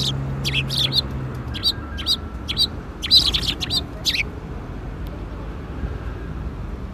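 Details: Sparrows coming to be fed at a shrine on an April afternoon, 13 April 2021: a cluster of short, high chirps and sharp tweets in quick bursts over the first four seconds, over a low steady hum.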